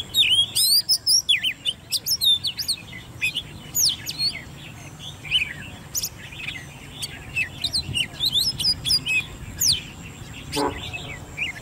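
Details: A caged, hand-reared 10-month-old Oriental magpie-robin pours out a rapid, varied stream of sweet whistles, sharp rising notes and chattering trills as competition song over faint background hum.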